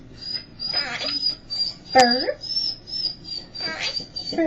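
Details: Seven-year-old female Quaker parrot perched on its owner's shoulder indoors on a Sunday, repeating the word "bird" in short, clipped, voice-like bursts spaced about a second or two apart, with a faint steady high tone in the background.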